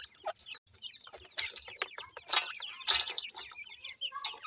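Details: Feeding chicks of the Sindhi grey francolin give thin, high chirps in quick irregular bursts, mixed with sharp broadband clicks and scratchy noise.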